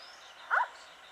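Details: One short, mellow, slightly downslurred hoot from an Indian scops owl at night near Sikar, Rajasthan, India, recorded 7 April 2020, over quiet low background hiss.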